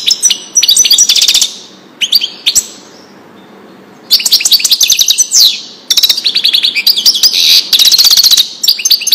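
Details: European goldfinch giving error-free Wedani song for training young birds: repeated bursts of bright, high, fast twittering and metallic trills, separated by brief silent pauses.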